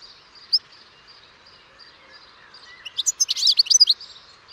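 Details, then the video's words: European goldfinch: one lone high note, a pause, then a dense burst of rapid, tinkling twittering in the final seconds. "O canto do PINTASSILGO/GOLDFINCH SONG (Carduelis carduelis)"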